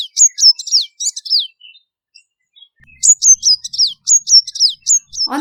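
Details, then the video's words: A purple-rumped sunbird gives two bursts of high, thin, downward-sweeping chirps in quick succession, separated by a brief pause, and a short low sound cuts in at the end. "Let’s listen to the sound of a Purple-rumped Sunbird."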